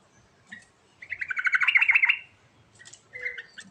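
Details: Short sooty-headed bulbul outburst: a single quick, gurgling string of warbled notes about a second long, a chip just before it and a fainter twittering phrase after, over soft background noise.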